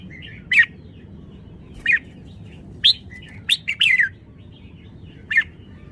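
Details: Red-whiskered bulbul song of loud clipped whistles, spaced notes every second or so building to a quick burst of three or four rolling, descending notes, with faint softer twitters between phrases.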